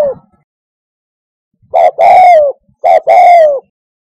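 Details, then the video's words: Spotted dove, a call used to lure doves to a hunter's hide, giving two coo phrases after a silent opening, each a short note then a longer, gently descending, slightly hoarse coo. "SUARA TEKUKUR TERBAIK"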